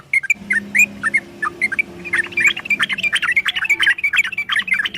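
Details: Yellow-vented bulbul in a quick 'ropel' song for training kept birds: scattered chirpy notes building into a rapid, crowded run, over a steady low hum.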